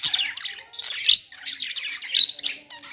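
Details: Parakeet chirping in quick, raspy warbled phrases, about one burst per second, bright and high with brief quiet gaps.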